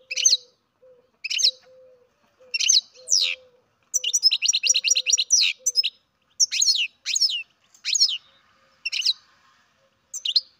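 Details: Captive-bred baby European goldfinch giving bright, high, thin chirps, single and in quick rattling clusters, repeated through the clip with short silent gaps; a faint steady low hum underneath.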